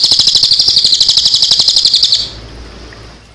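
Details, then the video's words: A cililin delivers a fast, high, buzzy trill of rapidly repeated notes for about two seconds, then stops abruptly, recorded with water sounds, leaving faint background hiss. "Tembakan Cililin"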